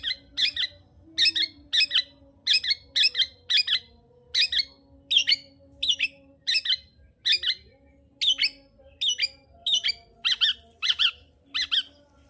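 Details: Long-tailed shrike song to provoke a quiet shrike into singing: steady series of harsh, doubled chattering notes repeated roughly every half second throughout, with a faint low hum behind.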